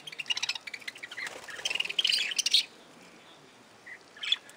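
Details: Budgerigars in an aviary: a rapid, ticking warble of fast pulsed notes builds into a dense, scratchy chatter, then breaks off into silence before two lone high chirps.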